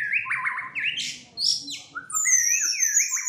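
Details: White-rumped shama, a fighter bird tested for mental strength, singing agitated and in full voice: stuttering, rising slurred phrases mixed with sharp high sweeps and bright whistled notes that break off and resume.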